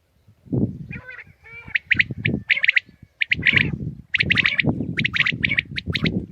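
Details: Common quail (Coturnix coturnix) recorded in the morning, used for hunting, gives sharp, liquid clipped notes in quick bursts of two or three, about every second, over a low rumbling background.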